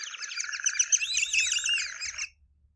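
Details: Recorded call of White-faced whistling ducks, a species seen in Botswana, played back: a rapid, overlapping chorus of clear, high whistles, several birds calling together for about two seconds before falling silent.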